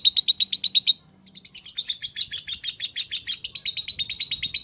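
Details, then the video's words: Ngekek song of a lovebird, a long trill of rapid high-pitched chirps that stops briefly after one second, then resumes as an unbroken run of quick, slightly uneven notes to the end. "Burung Lovebird Ngekek Panjang Mantab"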